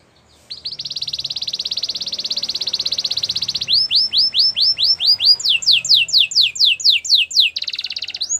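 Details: Gloster canary song: a long fast high trill lasting three seconds, then looping whistled notes at a steady beat, followed by a run of sharp falling slurs and another trill.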